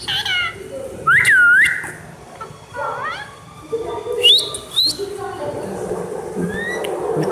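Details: Talking ring-necked parakeet imitating human speech. Loud, looping whistled notes are mixed with rising and falling, speech-like, harmonic phrases, and steady background hiss.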